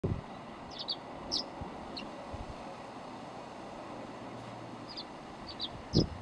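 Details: Tree swallow, one of a nesting pair in a yard, perched on a hummingbird feeder hanger a few feet from the recorder; faint, brief high chirps scattered in small clusters over steady low background rumble.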